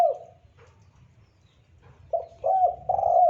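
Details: Clean spotted dove calling, recorded as a lure for trapping and as a tutor sound: a single low mellow coo, a pause, then a three-part coo phrase with a rising middle note, in quiet surroundings.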